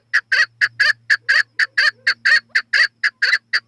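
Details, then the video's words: Repeated, strongly rhythmic chuck notes of a chukar partridge, roughly three a second and evenly spaced throughout, each note harsh and clipped; slight steady hum underneath. "Chakor Partridge Voice"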